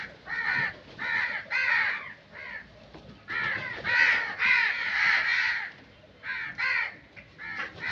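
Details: Harsh crow caws repeated roughly twice per second in uneven bursts, with a brief lull in the middle before a longer, louder string of calls.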